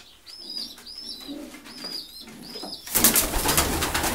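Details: Homing pigeons utter a regular series of thin, high, arched whistled peeps over faint low cooing, before a burst of loud wing flapping takes over.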